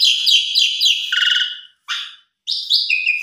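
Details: Beginner-bird tutor song of an Asian pied starling: fast repeated harsh chattering notes, then a short gap, a single rough burst, another pause, and high whistled phrases ending in a quick downslur.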